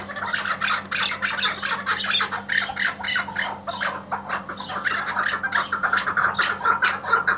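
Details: Loud, squawking chatter from a tethered Iraqi white hunting partridge, harsh notes tumbling out rapidly and almost without gaps for several seconds, over a faint hum.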